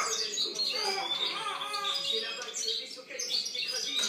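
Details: Goldfinch song from 2013: a rapid, busy stream of high tinkling trills and chirps, nearly unbroken for four seconds, with faint lower harmonic sounds beneath.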